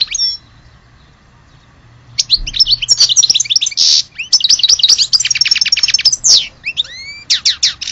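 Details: Algerian-type European goldfinch singing: after a near-silent start, dense tinkling twitters, buzzy trills and rapid rattles build up, closing with rising whistled slurs.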